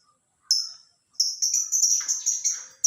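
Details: Lovebird in the morning: a single high whistled note, then a rapid run of thin, piercing repeated chirps forming a continuous trill.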